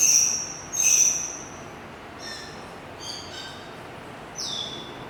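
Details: Oriental magpie-robin whistling: a few high, clear, drawn-out whistled notes, the first two loudest, followed by softer scattered notes and a final falling whistle.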